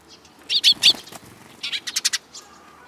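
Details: Sparrows coming to be fed, recorded 3 May 2022: a few short, sharp high chirps in quick succession, followed by a burst of fluttering wingbeats.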